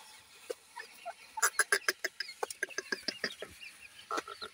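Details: Feeding grey francolin chicks utter thin high peeps amid a rapid run of sharp pecking clicks, the clicks coming several per second through the middle.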